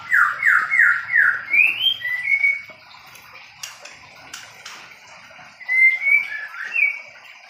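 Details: Mini-aviary white-rumped shama of the Medan type during pairing, opening with four quick repeated downslurred whistles, then rising and level notes, a few sharp clicks, and a final cluster of sweet whistled slurs.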